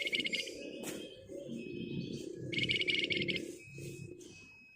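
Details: Flamboyan bird, used as a lure recording, gives two bursts of rapid, buzzy high trilling separated by thin drawn-out whistles, over a steady low rumbling background.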